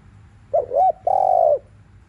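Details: Spotted dove in the afternoon, 'thúc liu riu' cooing used to rouse caged doves: a quick wavering double note, then a drawn-out flat coo that falls at the end.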